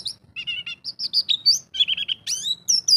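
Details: White-eye kept by Indonesian songbird fans, a champion bird in 'ngalas' style delivering 'isian' phrases: busy high warbling, with short chattered groups, clear upslurred whistles and sweeping rising notes, all closely packed.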